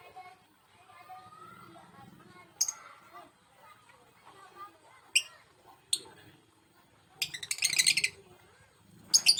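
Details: Male lovebird panicking after being separated from its mate: a few sharp, high shrieks spaced seconds apart, then a dense burst of harsh chattering and a final shriek, with quiet human speech in the background.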